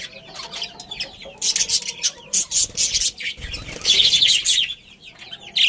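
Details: Chirping from a budgerigar breeding pair and their family: quick scratchy twitters and high warbled chatter in bursts, louder toward the end, over a faint low hum.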